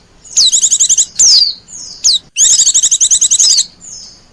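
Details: Wild-bird lure call of the Oriental white-eye: two long, fast trilling bursts of bright, high chips, with a sliding downward whistle between them and a faint thin tone trailing off.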